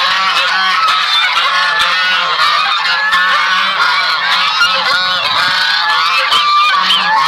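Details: Sebastopol geese, buff variety, calling alongside their goslings: a steady wall of overlapping honks and cackles with rising and falling whistled peeps from the young mixed in.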